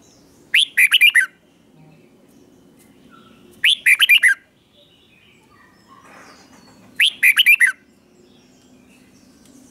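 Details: Red-whiskered bulbul singing the same short, bubbly phrase three times, roughly every three seconds, each a tight run of bright rising notes; a model song for young birds, with a soft low hum behind.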